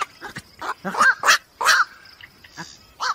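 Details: Black-crowned night heron calls used for night trapping: harsh, croaking squawks, about five rough bursts in three seconds, with faint background hiss.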